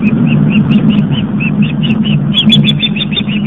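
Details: Young osprey returned to the nest after fledging, Long Island, New York, on a live nest cam: rapid repeated high piping notes over heavy low background noise, a few higher squeaks near the end.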